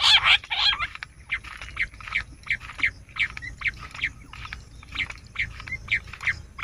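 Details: Bush quail call as a hunting lure: two loud harsh bursts, then a long run of short, clipped notes repeated about twice a second.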